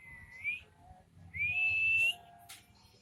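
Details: Crested jay (pelamboyan) in energetic nyiul-style song: a brief upturned whistle, then a longer pure whistle that climbs slowly for almost a second, followed by a faint click.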